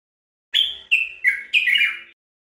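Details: Song of the Common bulbul, a Moroccan bird known locally as "al-watwat", recorded to teach captive birds: one phrase of four loud whistled notes descending in steps, the final note longer and wavering, with a faint low hum underneath.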